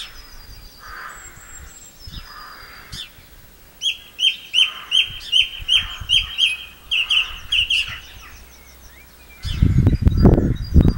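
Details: Song thrush singing at Campbeltown in April 2012: after quieter varied notes, a loud run of about ten sharp, identical high notes repeated rapidly, then a burst of low rumbling noise at the end.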